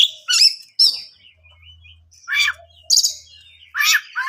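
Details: Oriental magpie-robin song meant to make other birds sing back: harsh chattering and scratchy notes alternating with short whistles, spaced by gaps, over a faint low hum.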